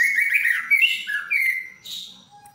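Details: Captive white-rumped shama of albino or blorok mutation delivering a brief, loud, fluid warble of slurred whistled notes that fades out at the end.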